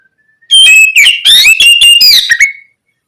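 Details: Oriental magpie-robin singing loud and open, used as stimulation to prompt other magpie-robins to reply: about two seconds of rich varied whistles, rising and falling phrases with quick chattering notes, ending on a level whistle.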